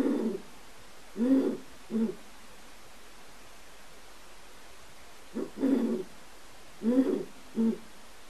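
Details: Pair of captive, non-releasable Great Horned Owls in a large aviary during copulation, the male squealing and the female chittering: low, hoarse hoot-like notes in two clusters of three, separated by a long quiet gap.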